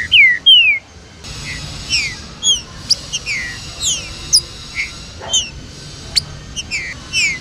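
Clear, downslurred whistles of a green-winged saltator open the recording, followed by many short, high chirps and slurred notes, perhaps from several birds overlapping.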